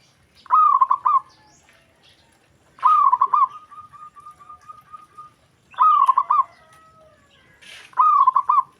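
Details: Zebra dove whose call draws an immediate reply from other doves: four loud stuttered cooing phrases, one followed by a long run of soft evenly repeated coos, over quiet background.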